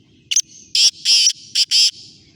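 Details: Black francolin, called kala teetar, giving a harsh, rasping call of loud grating bursts: a short double note, then two longer bursts, a brief note and a final long burst, all within about two seconds, over a faint low background hum.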